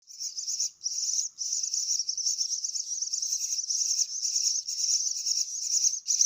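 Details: Myna chicks being fed call nonstop with harsh, high, buzzy rasping, a near-continuous stream broken by a few brief pauses.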